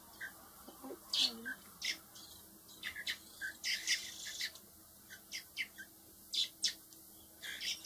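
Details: Baby blackbirds, four hand-reared nestlings intended for release, producing a steady run of rough, high chirps and squeaky notes, irregularly spaced over several seconds, with a few lower soft sounds early on.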